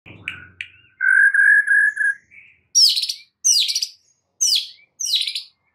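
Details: White-rumped shama song used as a lure to snap a stressed bird into loud, vigorous singing: a steady whistled note series near the middle pitch, then four loud, high, sweeping downslurred phrases spaced about half a second apart.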